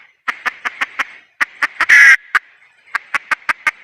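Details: Hen of the red junglefowl: evenly spaced clucks, a pause, then more clucks that build into a loud grating squawk. The clip ends with another quick run of five clucks.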